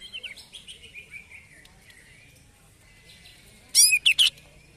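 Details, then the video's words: Excited greater green leafbird after its first song contest: a quick run of short notes falling in pitch, then a burst of loud, sharp, bright chirps near the end. "CUCAK IJO EMOSI SETELAH LOMBA"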